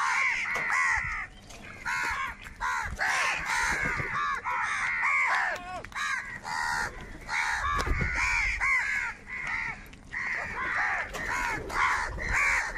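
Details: Large flock of crows, described as crows fighting for food, calling together: dense overlapping harsh caws and cries, near continuous with brief pauses, many birds at once.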